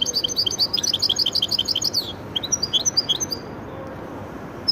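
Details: Rapid, evenly spaced high twittering notes from a goldfinch and canary cross, then a short gap and a few looser chirps and slurred whistles.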